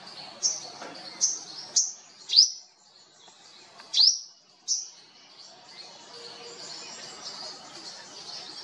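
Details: Whitethroat feeding on fruit in India, giving short sharp high chirps with a downward sweep, about six notes spaced roughly half a second to a second apart, then quiet background with faint hiss.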